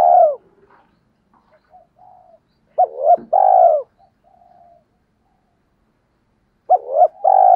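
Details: Lure calling of a spotted dove meant to draw in wild birds: a falling coo, soft murmuring notes, then two full phrases of a quick double note leading into a long descending coo.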